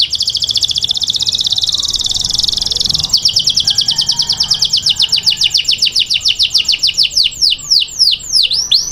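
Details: Male canary serenading a female: a dense buzzy trill breaks into a clearer series of repeated falling notes, ending in wider swooping whistles.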